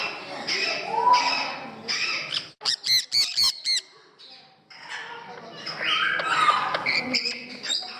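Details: Parrots at a parrot house in Gdańsk, Poland: a quick burst of four or five harsh, buzzy squawks mid-recording, with more grating calls before and after over a hum of human chatter indoors.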